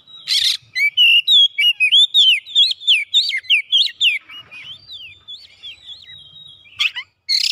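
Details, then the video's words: Kacer, or Oriental magpie-robin, in full gacor song as it seeks a rival: a fast run of about twenty sharp whistled notes that swoop up and down, with harsh rasping bursts at the start and end. "KACER LANGSUNG ON GACOR MENCARI LAWAN"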